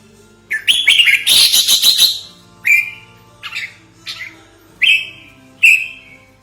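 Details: Trapping lure of a red-whiskered bulbul, also meant for training other birds: a rapid scratchy chattering burst of about one and a half seconds, then four clipped downslurred chirps spaced roughly a second apart; low hum beneath.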